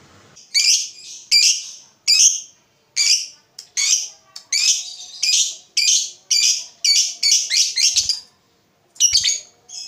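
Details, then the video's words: Lovebird calls meant to spur other lovebirds to sing a long trill. A steady run of loud, raspy chirps repeats roughly every two-thirds of a second for about eight seconds, then pauses before a final burst. "Pancingan SUARA BURUNG LOVEBIRD INI, Labetmu dijamin GACOR"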